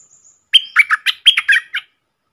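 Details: A wild red-whiskered bulbul sings back at a caged decoy bird, a single lively phrase of six or seven loud, bright whistled notes delivered in quick succession.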